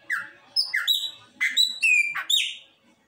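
Chopi blackbird singing a quick run of clear, ringing whistles mixed with short buzzy and slurred notes, about six phrases in three seconds.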